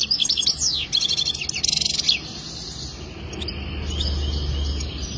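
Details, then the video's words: Goldfinch mating song, a two-second burst of quick tinkling twitters and slurred rising notes, followed by quiet with only a low steady hum. "اجمل تغريد حسون رائع جدا"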